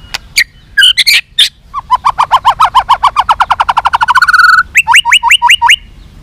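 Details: White-rumped shama in long fighting-provoking song; a few sharp notes, then a long accelerating trill of rapid pulses that merges into a steady tone, followed by a row of quick rising whistles.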